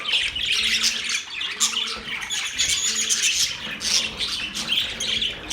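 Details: Budgerigars keep up loud, steady chirping, a crowded mix of bright squeaks and grating warbles over a faint low repeated hum.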